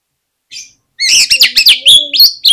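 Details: Short lure phrase from an oriental magpie-robin, played so other magpie-robins start singing: a soft note, then a quick string of loud, sliding whistled notes.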